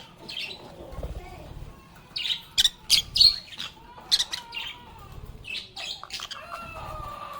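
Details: Lovebirds (agapornis) singing, playing and talking together: scattered sharp chirps and short squawks with some gaps, several higher whistled notes, a few long level tones near the end, and faint low thumps underneath.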